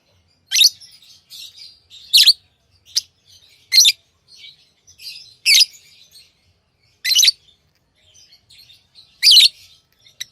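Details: Tame pet lovebirds chatter: loud, piercing chirp bursts every second or two, with soft, buzzy twitters filling the gaps.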